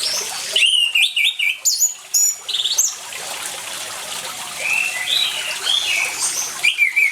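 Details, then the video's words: Orange-headed thrush song with trickling water: an energetic opening burst of loud, sharp, varied whistles, then softer warbled phrases, and a final loud note, meant to prompt silent birds to sing. "ANIS MERAH GACOR DENGAN SUARA AIR, PANCINGAN ANIS MERAH MACET CEPAT BUNYI"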